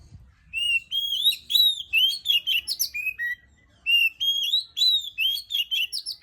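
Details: Oriental magpie-robin (kacer) singing relaxed in the morning: rich, loud whistled phrases of rising and falling notes with sharp upper overtones, delivered in bursts with a brief pause near the middle.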